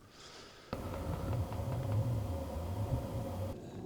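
Brief quiet ambience gives way to a low, engine-like rumble, then fades back to quiet, with no animal calls.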